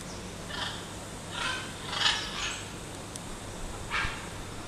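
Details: Macaws in an aviary at the back of a castle give harsh, raspy squawks in short bursts, about five spread over a few seconds, over a low steady hum.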